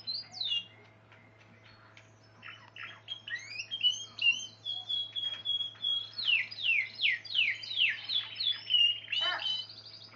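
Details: Spanish Timbrado canary, described as pure-bred and wild, singing: a few scattered high notes build into fast, rolling trills, with bright descending chirps repeated in steady pulses and a sharp final burst, over a faint low hum.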